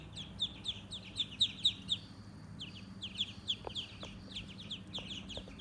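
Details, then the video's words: A group of farm ducklings peeps in high, thin chirps that drop slightly in pitch, several per second and overlapping, with a faint low hum behind them. "Farm baby ducks/ ducks sounds"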